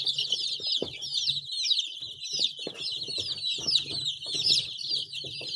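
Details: Chorus of baby chicks: many shrill peeps and twittering notes crowd over one another without a break, while a low intermittent hum and a few soft taps sound in the background.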